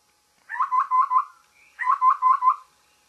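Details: Babbler calling in the morning: two phrases of four quick, slightly burry notes around a mid pitch, each phrase about a second long, separated by a short gap, with a faint higher note between them; no other sounds.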